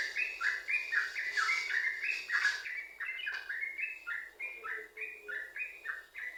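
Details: Energetic, continuous yellow-vented bulbul song for luring other bulbuls to sing. Loud, fast bubbling chirps in a long unbroken series, slightly fuller and harsher in the first seconds.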